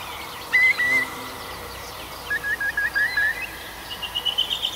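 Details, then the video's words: Night forest birdsong in Arkhangelsk region in June: a short whistled note, then a run of quick clipped whistled notes and a high, thin trill, against continuous background hiss. "Пение птиц в ночном лесу"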